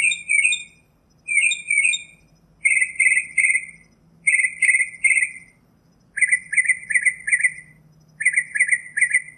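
A Northern Mockingbird sings bright, chattering phrases of three or four quick notes, repeating each phrase a couple of times before shifting to a new one, over a faint low hum.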